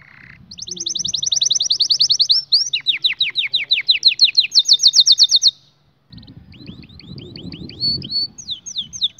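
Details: Canary delivering a training song for young birds: long rapid rolling trill shifting into lower sweeping notes and back to a fast roll, then a pause and scattered high chirps over faint background rumble.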